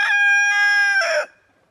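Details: Rooster strutting in the snow among hens pecking about on a cold day: one loud, richly harmonic crow held level for about a second, breaking into a rougher, noisier ending before stopping abruptly.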